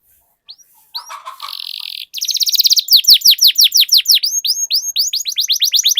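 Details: Lure song of a canary for getting other canaries to sing: short buzzy roll, then a fast rattling trill leading into a long string of bright, repeated down-sweeping whistles.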